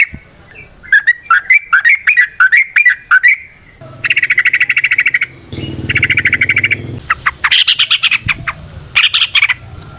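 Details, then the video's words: Sooty-headed bulbul (trucukan) song used to draw and train other trucukan: quick run of liquid bubbling notes, then long buzzy chattering rattles, with a faint steady high hiss in the background. "Trucukan GACOR ngalas ROPEL PANJANG suara alam AMPUH buat pancingan"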